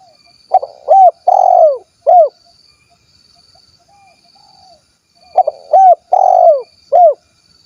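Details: Spotted dove of the 'kuk 1' type, from Cilacap, Central Java, Indonesia, giving two mellow cooing phrases. Each has short clipped notes, a long drawn-out downslurred coo and a final shorter coo, separated by about three seconds of quiet. A faint steady high whine sounds throughout.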